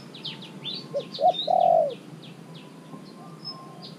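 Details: A three-month caged spotted dove works as a decoy to attract wild doves. It gives one coo phrase, two short notes leading into a sustained low coo. Busy high chirping and twittering from other birds fills the background.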